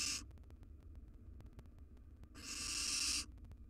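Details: Nestling Barn Owls, three wild young in a monitored nest box, give a short hiss, then after a pause a longer, harsh, rasping hiss of nearly a second.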